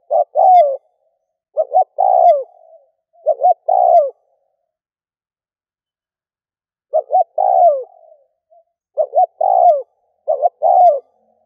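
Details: Spotted dove decoy call used to lure doves: clusters of short double notes and falling coos, several phrases in a row, then a long silent pause before more phrases resume.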